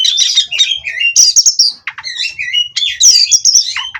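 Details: Caged Oriental magpie-robin from a breeding farm, sung as therapy to steady the bird on its perch: rich, varied whistles and chattering phrases, high and bright, with sliding notes and quick buzzy bursts in near-continuous song.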